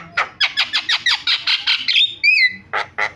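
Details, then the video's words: Starling lure recording meant to set other starlings calling: a rapid series of about a dozen harsh, evenly spaced chattering notes, then two clear descending whistles and two more rasping bursts. "MASTERAN JALAK SUARANYA BIKIN JALAK PADA TERIAK"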